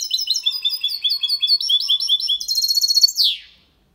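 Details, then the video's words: Goldfinch × canary hybrid singing a clean, faultless song in the Málaga copy style, used to stimulate females and teach young birds: rapid twittering trills of high chirps, ending in a sharp descending buzzy note. "Mixto de Jilguero Cantando Limpio sin errores (copia malaga) Hybrid de Chardonneret chantant propre"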